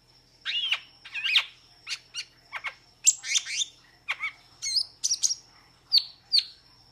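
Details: Metallic starling (Aplonis) singing a jumble of squeaky, wavering notes and downslurred chirps in loose clusters, with short pauses between phrases.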